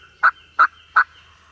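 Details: Eastern wild turkey gobblers, early in the morning during a Mississippi turkey hunt: three loud, short, harsh notes about a third of a second apart, over a steady quiet background hum.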